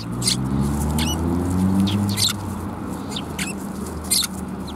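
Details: Sparrows at a Tenmangu shrine in Japan on 23 December 2021 give short, bright chirps, about five spread irregularly over the stretch, some with a quick downward twist, over steady low rumbling background noise.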